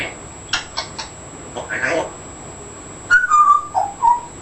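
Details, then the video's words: Pet African grey parrot, fourteen months old, in a small room: a few clipped word-like sounds first, then a run of clear whistled notes that step downward and rise again near the end, over a faint electronic whine. "Talking Afric gray"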